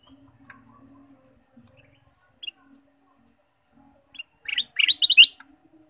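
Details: After a few quiet seconds with an isolated chirp, a ruby-throated bulbul, whose song is used to stimulate caged birds, bursts into a fast, bubbling, chattering phrase of sharp notes near the end.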